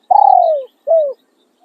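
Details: Spotted dove kept as a decoy for luring, singing khan riak and khan yon crowing: a long coo that starts with a fluttering pulse and slides steadily downward, then a shorter falling coo, in quiet surroundings.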